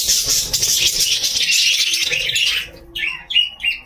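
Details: A breeding pair of caged lovebirds, fed millet and lentils, with a newly hatched chick in their nesting pot, gives dense, high, rapid chattering and twittering. Sharper, separate chirps follow near the end, indoors.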